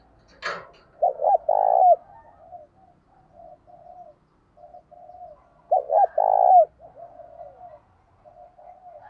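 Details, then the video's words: Spotted dove calling to lure wild doves in quickly. After a sharp click, two phrases come about five seconds apart, each a pair of short coos and then a long burred note, with quiet cooing between them. "Chim cu gáy _ tiếng thúc và gáy gọi, tiếng chim cu gáy giọng đồng thổ thúc đấu dút bổi về nhanh"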